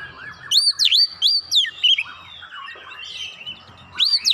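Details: Oriental magpie-robin song meant to provoke rivals: clear swooping whistles and chirps in a quick run, a quieter twittering pause, then another loud whistled note, over faint background rumble.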